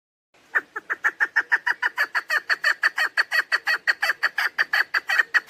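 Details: Chukar partridge female call used in hunting to draw birds in, a continuous rhythmic chain of hoarse chuck notes, evenly spaced and loud.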